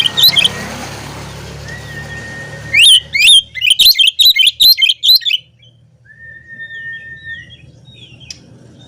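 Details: Oriental magpie-robin in the rival-provoking 'gacor ngobra' song: one loud opening note, a long flat whistle, then a rapid series of about a dozen sharp, rising-and-falling chirps over two and a half seconds, trailing into soft whistles and low hum.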